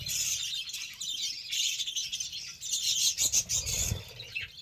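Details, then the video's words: Soft-to-busy high chatter of several budgerigars being fed beetroot, warbling with quick chirps clustering near the end. "BUDGIES SOUNDS😍 GIVING BEETROOT FOR BIRDS"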